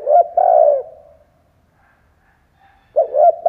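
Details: Spotted dove used as a decoy, cooing to draw in wild doves; a soft coo phrase ending in a sustained, slightly falling note, then a new phrase begins with short clipped notes about three seconds later.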